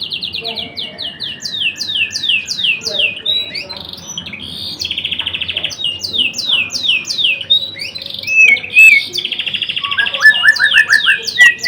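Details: White-rumped shama, blorok type, pouring out a long varied song: rapid series of high descending slurred notes, buzzy rattles, a bright whistle and quick repeated chirps.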